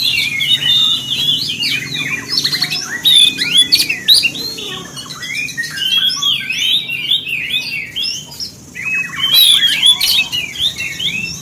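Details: Provocation song of an Oriental magpie-robin, meant to rouse other magpie-robins: a dense, continuous run of jumbled whistles, trills and scratchy chirps with brief pauses, against a faint low background hum.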